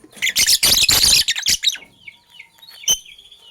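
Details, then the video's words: Morning sounds of sky blue opaline and cobalt lovebirds: a loud, harsh, grating screech lasting about a second, then quieter falling chirps and one sharp click. "Lovebirds Chirping Sounds"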